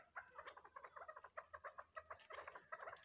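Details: Chorus of crossbred chukar chicks: dense, rapid chirps and clucks, some with clear whistled tops, repeated almost without pause across the stretch.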